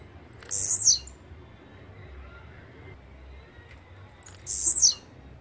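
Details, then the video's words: Two repeated songs of a blue-black grassquit (chirrio, pirra, tiziu, volantina), roughly four seconds apart: each a sharp, very high, scratchy buzz ending in a downward slur, over soft low background noise. "CHIRRIO, PIRRA, TIZIU o VOLANTINA Y SU GRAN CANTO"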